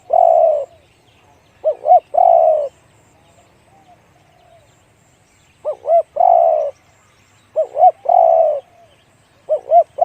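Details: Spotted dove, 'one kuk, big voice' singing style. The clip opens on the tail of a long coo, followed by three full phrases of two short bouncing notes and a drawn-out deep coo, with pauses of up to three seconds.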